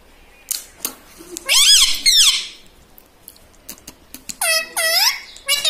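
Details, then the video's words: Pet green parrot, tagged as a ringneck, kept indoors and taught to say words like mummy, papa and radhe radhe; two bursts of high, squawky, wavering speech-like phrases with gaps of faint clicks between. "cute talking parrot"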